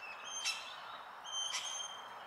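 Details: Male Australian King Parrot in a southeast Queensland forest on a winter day, calling to a female, gives two high, shrill piping notes about a second apart, each with a sharp harsh edge at its start.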